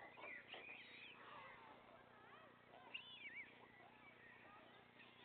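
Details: Young white storks at the nest while their father delivers food to the three surviving chicks: busy chattering squeaks and wavering whistled calls, strongest at the start and around the middle, with continuous low hum.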